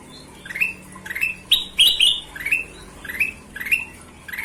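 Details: Golden-vented bulbul repeating sharp rising whistled notes roughly every half second in a steady chatty series, a few louder buzzier phrases in the middle, over faint low hum.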